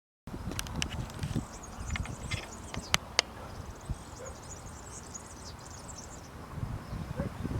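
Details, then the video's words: A European serin sings from tree branches on 2 June 2019 in Zamudio, Txorierri, Bizkaia, a rapid, very high, glassy jingle running unbroken for about five seconds, over low rumbling background noise and a few sharp clicks. "Verdecillo cantando en las ramas"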